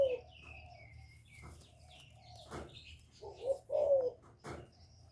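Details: Decoy spotted dove heard more softly among other chirping birds, giving gáy gọi, thúc and gù calls meant to rouse kept doves: a brief coo, later two muffled falling coos amid sharp clicks and background noise.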